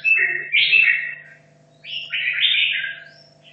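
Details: Red-whiskered bulbul from Hanoi, caged for two and a half years, training for a song contest, gives two bright, chattering warbled phrases separated by a short pause, over a constant low electrical-like hum.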